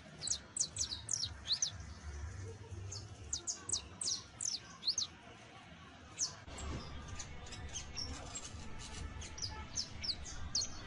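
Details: Young saffron finch (Sicalis flaveola) chick giving its first songs, trills and twittering: thin, very high, quickly descending notes in loose clusters, fairly faint against a steady background rumble.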